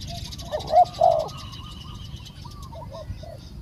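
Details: Decoy-session spotted dove in Thailand. Two loud, rounded coos in quick succession are followed by weaker, fading coo notes and faint high chirping in the background.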